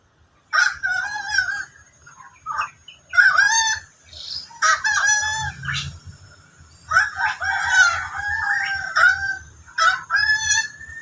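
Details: Endemic bird known locally as koak kaok calling repeatedly: rough, nasal, strongly harmonic notes in a rapid uneven series, some drawn out and wavering, with a faint steady high tone behind.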